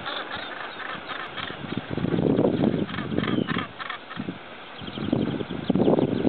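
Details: Northern gannets at the Bempton Cliffs colony, Yorkshire: harsh, grating, throaty calls in rapid overlapping bursts, building into a raucous colony chorus with a low rumble of wind beneath.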